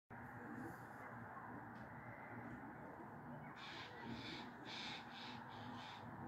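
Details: A Eurasian jay perched in a fir tree in Meschede on 22 September 2022 scolds with a run of harsh, rasping screeches, about five in quick succession near the end, over a steady low rumble and a faint human voice.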